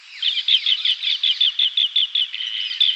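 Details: Asian green bee-eater (Merops orientalis) in Sri Lanka giving a fast series of high, trilled chirps, about two or three per second, with faint chatter behind.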